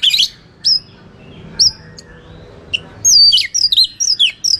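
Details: White-rumped shama fighting song aimed at rival birds: a harsh burst, spaced single thin whistles, then a rapid, loud flourish of varied sliding whistles and chatter.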